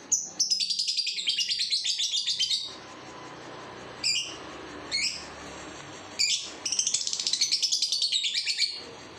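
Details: Two-month-old lovebird giving two long ngekek trills, each a rapid pulsed chatter of about two seconds, separated by three short, sharp chirps spaced about a second apart.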